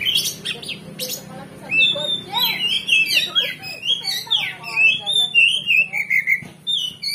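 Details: Oriental magpie-robin luring song to rouse fighting spirit: sharp clicks at the start, then a long varied sequence of whistled, warbled phrases, sliding and rising, delivered in steady bursts for several seconds.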